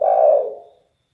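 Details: A single low, throaty coo from a spotted dove, the derkuku, noted for its bass and very loud voice. The coo is strong at first and then fades away within a second.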